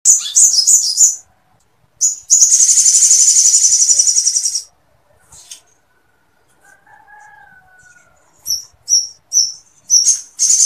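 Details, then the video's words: Sooty-headed bulbul in full song, with long bursts and woodpecker-like material meant for tutoring other birds: sharp high chips, then a long, even, buzzy trill, a pause, and more quick chips. "SOGON GACOR NGLEPER FULL MATERI PELATUK SAMPIT"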